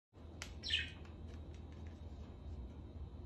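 A rose-ringed parakeet gives one short, harsh squawk after a sharp click, then only faint chatter over a low indoor hum.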